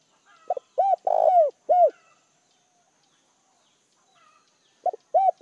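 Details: Decoy spotted dove calling to draw in wild doves: a short note followed by rounded arching coos, one longer drawn-out coo in the middle, a pause of about three seconds, then the phrase begins again, in a quiet setting.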